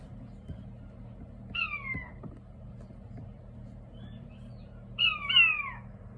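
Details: King quail chicks calling, said to sound soothing: two bursts of loud, descending whistled peeps with a lower echoing layer, about three seconds apart, over a low steady hum.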